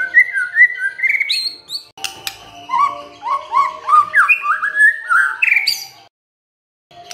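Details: White-rumped shama singing as a lure to make other birds answer: a long flowing series of melodious whistled phrases, rising and falling, some quick trilled notes, with a steady faint hum underneath before a short pause.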